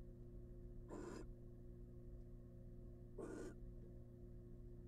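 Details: Two breathy, grating hisses just over two seconds apart from a wild barn owl mother incubating eggs in a nest box, set against a constant low drone.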